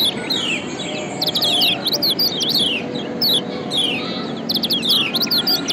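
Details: Yellow white-eye from Lombok singing as a lure for other birds: scattered high, sharp downslurred chirps and short twitters in irregular groups, with a noticeable low hum and hiss behind.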